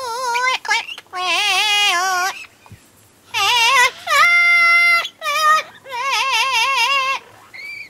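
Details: Double yellow-headed amazon in captivity at the UK Parrot Zoo, heard late at night during a keeper's night check, singing a run of long, wavering, vibrato-laden tonal notes with rich harmonics, separated by brief pauses.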